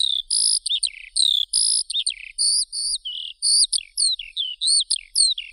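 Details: Continuous Eurasian skylark warbling: high, sweet notes rising and falling, with short sharp chirps and brief dips into lower tones, delivered in uneven phrases about a second apart.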